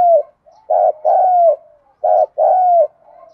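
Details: Spotted dove cooing in the lure style used to make other doves answer: a short low coo then two loud, steady coos with a falling tail, the phrase repeated twice, near silence around.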